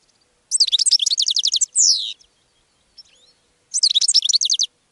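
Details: Goldfinch singing to attract other birds: a rapid, bubbling run of high twittered notes ends in a drawn-out buzzy descending slur, then a soft chirp and another fast twittering phrase.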